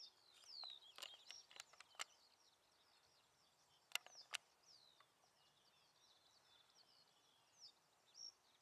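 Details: Little ringed plover at the Gement on 17 May 2017, giving high, thin, down-slurred whistled notes in quick irregular runs, with a few sharp clicking ticks early on over soft outdoor background noise.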